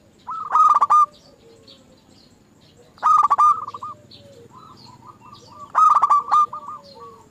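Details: Lure recording of zebra dove song, played to get other doves singing: three bright, rapidly stuttered coo phrases spaced about 2.5 seconds apart, with quieter answering phrases from another dove between them.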